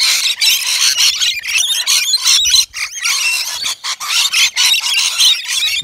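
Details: Native Australian rainbow lorikeets crowding a balcony feeder filled with wet nectar mix; a dense wall of high squealing and scratchy chatter, nearly unbroken, with faint thumps.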